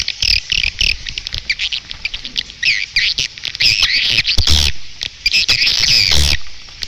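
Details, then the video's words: Edible-nest swiftlet lure sound, the 'Raja Illato' calling track: dense high chattering chirps in rapid bursts, broken by loud low thumps and brief gaps. "suara panggil burung walet"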